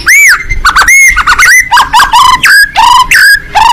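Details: White-rumped shama fighting bird, open beak, singing: arched whistles, choppy chattering phrases and descending slurred notes in a loud, busy sequence.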